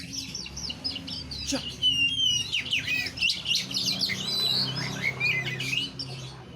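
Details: Oriental magpie-robin song: quick chattering twitters mixed with thin descending whistles and short buzzy notes, tumbling on without pause, over soft low background rumble.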